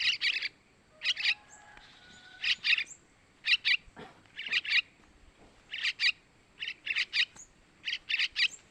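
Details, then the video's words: Yellow-vented bulbul chicks begging, used as a lure for males: harsh raspy chirps in tight pairs and triplets, bursts roughly once a second with irregular gaps, faint low tones between. "Suara Anakan Trucukan buat Pancingan burung Trucukan jantan"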